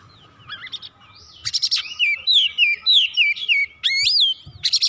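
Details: Worked-up oriental magpie-robin showing off its full repertoire: buzzy chatter, then a fast series of loud, clear whistles sliding downward, each repeated roughly twice a second, ending in bright upswept notes.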